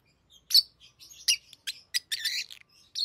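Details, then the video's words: Pet lovebirds at play with rings, producing a busy string of scratchy high chirps and squeaky chatter, some notes running together into a longer rasping phrase. "Love birds Talking | Singing Sounds"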